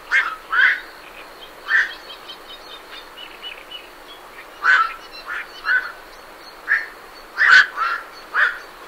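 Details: Harsh squawking quoks from night herons flying off their roost arrive in irregular bursts, some doubled, against continuous scratchy chatter from great reed warblers.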